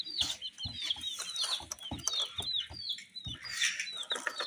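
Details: Colored baby chicks chirping: a steady stream of high, short downward-sweeping peeps from several chicks, over soft low thumps.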